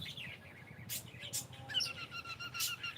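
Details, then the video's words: Pet cockatiel saying good morning: after scattered sharp clicks, a run of short whistled notes with bright overtones, steady and slightly rising, repeated about once a second; low background hum throughout. "ShonaTheCockatiel is saying gud morning"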